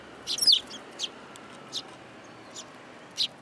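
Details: Sparrows coming onto a hand at a Tenmangu shrine, 8 July 2022; a quick burst of warbled chirps opens, followed by four separate single chirps at irregular intervals.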